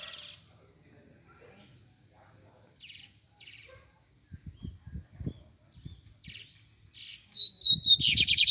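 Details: Double-collared seedeater, known in Brazil as bigodinho, starts a song near the end: a falling whistle leading into a rapid buzzy trill. Before it come scattered soft chirps and low thumps.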